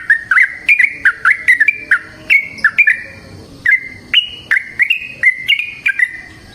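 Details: Yellow-vented bulbul, known locally as trucukan, singing in long rapid 'ropel panjang' wild style, used as a lure to set bulbuls singing; a steady string of bright upslurred, gurgling notes, roughly two or three per second.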